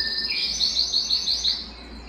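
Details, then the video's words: Excited indoor canary wanting to mate: a short phrase of about six evenly spaced, bright rolled notes, high and ringing, fading out at the end. "تغريد كناري هائج"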